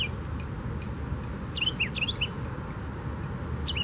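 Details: A Carolina wren at Tattnall Square Park on July 29, 2015 gives a quick burst of bright, rolling whistled notes, with scattered single chirps before and after, over a steady low rumble of traffic.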